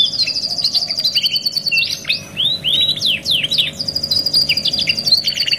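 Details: Canary song meant for tutoring other canaries, two song types in one: high silvery trills framing a middle section of slow, rounded whistled swoops, ending in rapid rattles.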